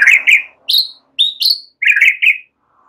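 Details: White-rumped shama song, used as a lure or training track, mimicking cililin and ciblek: six quick, bright chattering notes in close pairs, some rising to sharp high whistles, over about three seconds.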